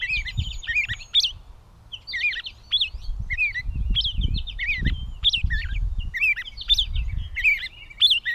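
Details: Gray catbird, Bowdoinham, Maine, 16 May 2020: a rambling string of mixed squeaks, mewing slurs and sharp chips in short phrases with brief pauses, above a soft low rumble.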